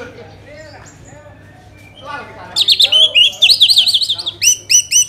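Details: Orange-headed thrush singing, a recording meant to lure other birds into song; soft scattered notes for two seconds, then a loud burst of fast warbled trills followed by repeated bright upslurred whistles.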